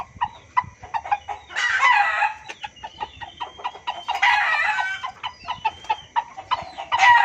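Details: Loud junglefowl lure sound for hunting: irregular runs of quick, sharp clucks interrupted by several longer, harsh, rasping bursts, some overlapping, with fowl-like calling throughout.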